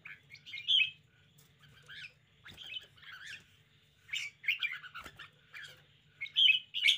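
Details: Red-whiskered bulbul kept as a cage bird, showing spirited behaviour with repeated grating, warbled phrases in uneven bursts, loudest at the start and end, over a low hum.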